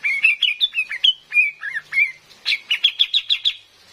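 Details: Female cream-vented bulbul, used as a lure for trapping in the forest, giving a rapid string of varied whistled notes that ends in a fast, even, bright chatter.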